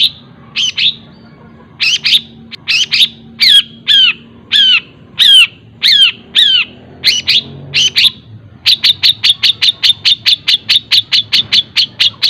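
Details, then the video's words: Long-tailed shrike singing at a fast, tight pace with borrowed phrases from other birds: sharp down-slurred notes about two per second, then a rapid, even series of short clipped chirps. "CENDET ISIAN TENGKEK BUTO SPEED RAPAT SAMBUNG GREJA SAMBUNG KUNTI"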